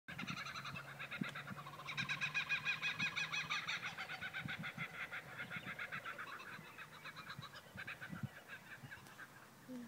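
A kookaburra's raucous laughing chorus, rapid cackling notes rising and falling in long rolling bursts, with a low hum underneath.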